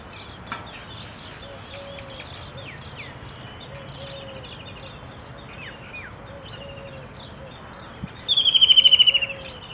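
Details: A White-throated kingfisher, recorded 21 April 2023, gives a loud, rapid, shrill trilling rattle near the end, over steady chirping from other birds and low soft hoots repeated every second or so.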